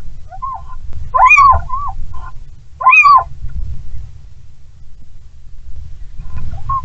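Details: Little owls mating on a branch sheltered from strong wind, Bommelerwaard, Netherlands, 16 February 2022: two loud, squealing calls arching up then down, about two seconds apart, with softer mewing notes between, over a steady low rumble.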